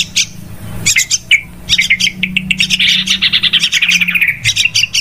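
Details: Noisy lure recording of yellow-vented bulbul calls used for trapping: continuous busy chatter of clipped, bubbly notes in fast repeated bursts, over a faint low steady hum.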